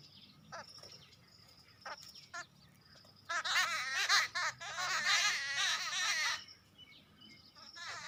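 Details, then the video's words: A group of birds reacting to a squirrel: scattered high chirps, then a loud three-second burst of dense, squabbling chatter from many birds at once, fading back to sparse calls. "Sounding Birds making Group sound when seen squirrel."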